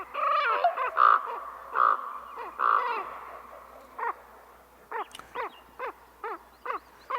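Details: Playback of a Common Raven, its calls echoey and slower than a crow's: a run of loud, harsh, harmonic croaks over the first three seconds, followed by about eight short, clipped notes at irregular intervals.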